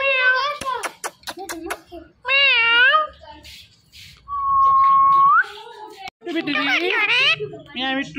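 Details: Indian ringneck parakeet kept indoors, talking and saying "Mitthu": quick clicks, then a pair of rich voice-like syllables, a long flat whistle sliding upward at the close, and a final burst of busy squawky chatter.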